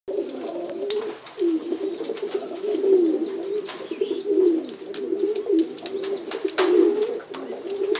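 A loft of French pigeons coos continuously, low throaty rolling calls overlapping from many birds, with thin high chirps of small birds and occasional clicks.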